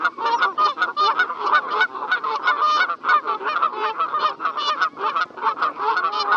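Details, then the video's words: Several Canada geese honk loudly and continuously in a dense overlapping chorus of nasal, two-toned honks. "Call of Canada Goose"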